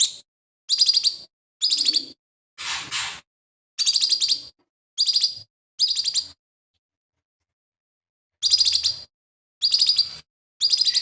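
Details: Lesser green leafbird in full voice, its song reported to be packed with mimicry of sparrows, shrikes and other birds; a run of short, sharp chirp bursts about one per second, including one rough raspy note, then a long pause and three more bursts.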